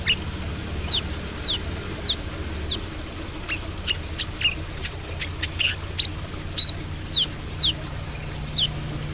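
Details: Brown-throated sunbird in active 'trotol' song: high, sharp, downslurred chirps repeated about once a second, mixed with brief clicks, over a steady low hum.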